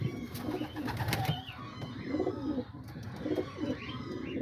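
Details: Homing pigeons in a loft in the early morning, around 9:30–10:00, shortly after a hawk attack: low, rolling coos from several birds indoors, repeating about once a second, with a man talking over them.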